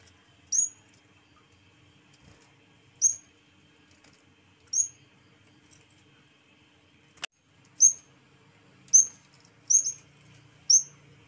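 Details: Yellow-bellied warbler (cikrak bambu) in lively song: sharp, very high, thin notes that drop quickly, given singly at irregular gaps of one to two seconds, with one loud click partway through.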